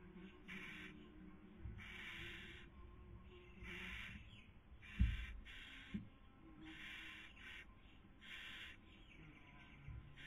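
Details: Barn owls at a nest webcam in Cabañeros National Park, Castilla-La Mancha, Spain, during the 2020 breeding season, the female feeding while the male tries to sleep; rasping hiss bursts about half a second long repeat steadily, with low knocks between them.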